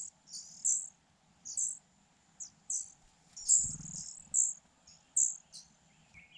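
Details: Four Fujian niltava nestlings in a nest hidden in grass, begging hungrily while being fed: short, very high thin chirping bursts about once a second over a steady insect drone, with a soft low rustle midway.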